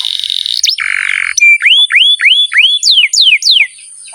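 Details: Canary in a long training recording for young birds that sing little. A buzzy high trill gives way to a lower rasping burst, then a series of looping upswept whistles repeated about three times a second, ending in falling slurs.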